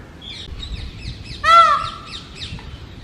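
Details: ['A mating-season male peafowl on a house top, calling for females: one loud, rising-then-falling harmonic scream at mid-clip, surrounded by quick chirping and twittering of smaller birds.']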